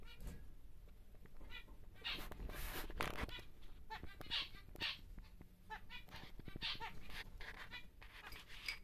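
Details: Captive large male zebra finch, normal grey, bought to breed: scattered nasal buzzy notes and quick repeated chirps through the recording, amid rustling and low steady background noise.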